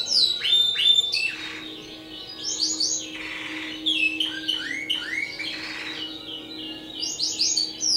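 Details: Song of a Timbrado canary kept by a breeder: rolling trills and upward-slurred whistles in fast repeated groups, alternating with softer breathy passages, over a faint continuous low hum.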